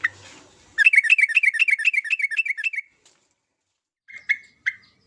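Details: Vigorous sooty-headed bulbul song: a long rapid string of around sixteen clear, bouncy notes over two seconds, then silence and three separate short notes.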